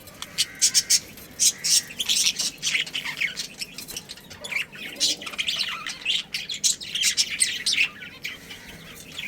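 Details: Colony of budgerigars kept at home, breeding pair with family, chirping in rapid overlapping bursts of bright squawks and warbled notes throughout.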